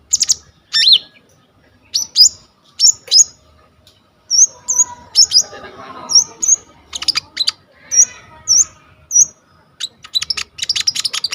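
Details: Kolibri ninja, the olive-backed sunbird, singing in full voice, filmed on a vivo Y21 phone for use as a tutor recording: very high, sharp chip notes and short whistled upslurs, spaced out and then crowding into rapid chatter.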